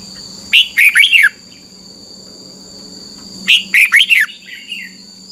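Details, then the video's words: Thai red-whiskered bulbul singing a copy-training song for young birds: two bright phrases of three or four bubbly, downslurred whistled notes about three seconds apart, with a faint trailing chatter and a low steady background hum. "นกกรงหัวจุก, 30 นาทีทุกเช้า เพื่อให้นกเรียนรู้ที่จะพูดได้อย่างรวดเร็วและหนักแน่น"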